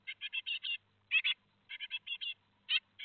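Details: Four great tit fledglings leaving the nest at Théding, France, on 17 July 2020 give harsh, buzzy high notes in quick bursts of two to five, separated by brief pauses; nothing else is heard.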